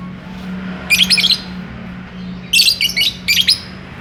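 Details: A lovebird in courtship, seeking to mate, utters rapid clusters of sharp, high squawking chirps, one burst then a longer double burst, against a faint steady hum.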